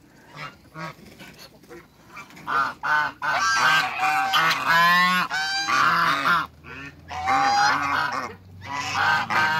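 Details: Giant African geese, a pair in a backyard among waterbirds, start with a few short honks, then break into a long, loud, overlapping honking chorus with rasping, nasal notes.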